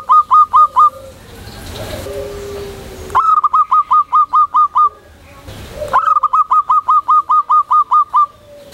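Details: Loud local Zebra dove (perkutut) calling to companions. Three runs of rapid, ringing clipped notes, each note quickly repeated, with short hissing, noisy gaps between the runs.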